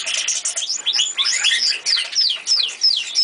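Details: Old caged canary in song: jumbled warbling phrases, then a series of repeated high descending whistles about three a second.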